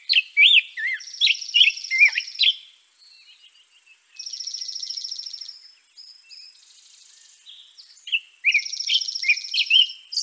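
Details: Song of a European robin: clusters of quick, high twittering notes between pauses, overlapped at intervals by a long, even, buzzy pulsed trill pitched above them.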